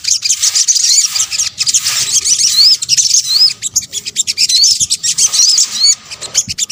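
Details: High, shrill sunbird chatter from an Indonesian lure mix of sogok ontong calls: fast twittering broken by clear rising-and-falling whistled slurs every second or so, with a faint steady hum beneath.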